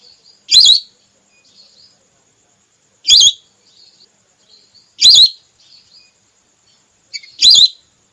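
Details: Red whistling duck hunting lure, a female call: four sharp, wavering whistles at uneven intervals of two to three seconds, with soft high chatter in the gaps.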